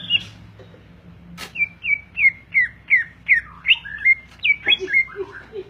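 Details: Greater green leafbird in a cage gives a sharp click, then a string of clear, evenly spaced downslurred whistles about every third of a second, ending in varied twisting notes.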